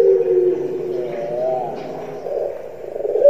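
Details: Puter pelung, a kept Barbary dove, famous on Java for its distinctive call rendered kuk gerukkk kwokkk; low, wavering hooting coo drawn out over about three seconds with slight rises and falls, no other clear sounds.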